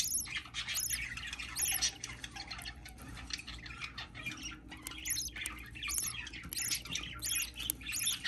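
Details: Budgerigar hatchling at hatching, indoors: rapid bursts of harsh, scratchy high squawks in uneven clusters, roughly ninety per minute, with short gaps, over a steady low electrical hum and faint rustling.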